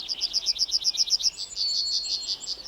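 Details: A Yellowhammer sings a quick, high run of about eight thin, even notes, then a drawn-out, slightly lower phrase; in Finland the song is said to count to seven. No other sounds.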